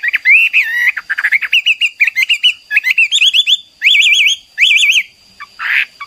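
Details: Hwamei singing energetically: quick bursts of whistled notes, then distinctive warbling, zigzag whistled phrases repeated twice, ending with a harsh note, over a thin steady electronic tone.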